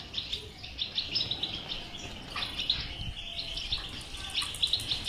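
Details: European goldfinch twittering (bitbita) played to stimulate a silent goldfinch to sing; dense, overlapping high chirps and trills run continuously with short bright notes, and a low background rumble sits beneath.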